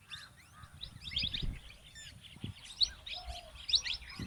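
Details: A male and female plum-headed parakeet trading quick, bright, high-pitched chirps in loose clusters, some notes louder and sharper, over soft background rumble.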